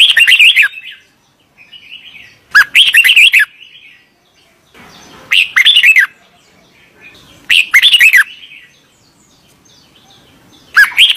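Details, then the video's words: Red-vented bulbul from India repeating brief, bubbly phrases of loud chirpy notes about every two and a half seconds, with quiet gaps between and a steady faint background. "বুলবুলি পাখির ডাক Red Velvet Bulbuli Bird Sound"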